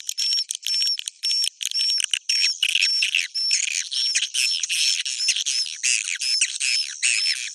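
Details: Bhayangkari-style swiftlet roosting sound: continuous high, crackling twitter packed with rapid chirps, laced with repeated short upslurred whistles about once a second.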